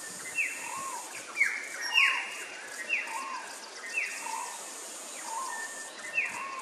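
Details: Peaceful dove courting in Nambour, Queensland: a sharp falling whistle followed by a soft, arched lower note, repeated about once a second over steady high background hiss.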